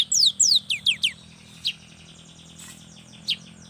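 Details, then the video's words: Cinereous tit, a young bird singing to encourage others: five or six crisp downward-slurred high notes in quick succession, then a few isolated single notes spaced over the next two seconds. "inilah SUARA yang PALING DI SUKAI BURUNG GELATIK || semua Jenis GELATIK PASTI NYAUUT DAN GACOR"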